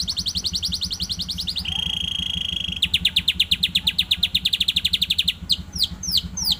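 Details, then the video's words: Young canary just starting to sing: a rapid high trill, a long flat whistle, then a slower run of repeated chip notes followed by a few sweeping notes, all over a steady low pulsing machine hum. "Baru belajar bunyi"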